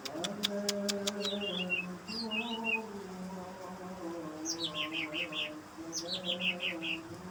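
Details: Greater green leafbird song at night used as a lure for other leafbirds: brief clicks, then scattered high descending whistled notes and rapid bursts of repeated notes, above a continuous low humming drone.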